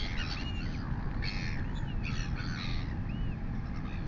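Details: Royal albatross chick, a female with a huge crop, fed by its mother on a live nest camera in New Zealand at 11:24 am on 23 August 2020. Soft arched whining notes and short harsh bursts sound over constant heavy wind rumble.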